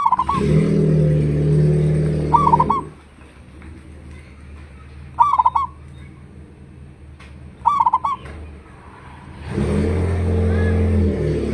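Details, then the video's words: Local zebra dove used as a lure to make other doves answer, voice described as big: four short cooing phrases of quick bubbling notes, mid-pitched, spaced a few seconds apart, over heavy low rumbling noise at start and end. "pancingan suara perkutut lokal,suara besar auto nyaut"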